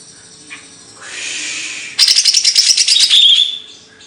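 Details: A singing bird in Indonesian kicau burung material: a soft hissy lead-in, then a fast, loud rattling trill of rapid high notes lasting about a second and a half.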